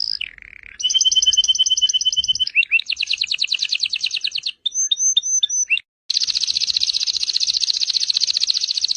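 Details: Canary song meant as training for pet songbirds: a clear whistle dropping into a buzzy low trill, fast rattling trills, sharp clipped notes after a pause, and a long rapid high trill to the end.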